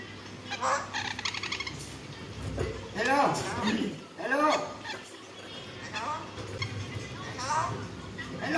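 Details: A pet hill myna about one year old talks in clear, human-like Vietnamese phrases ("mẹ ơi"): several rising and falling voiced bursts a second or two apart, over a faint hum.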